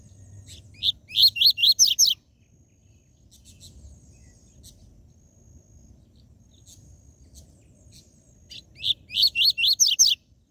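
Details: Coleiro seedeater singing the 'tui tui zel zel' song, used to stimulate captive coleiros and papa-capims: two bursts of six to seven quick, sharp, rising whistled notes, separated by quiet high chips and faint low background hum.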